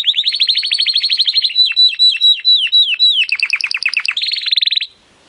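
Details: Timbrado canary singing, training audio to improve canaries' song: a long series of rapid repeated downslurred notes, slowing into spaced falling whistles, then quick rolling trills before a brief silence.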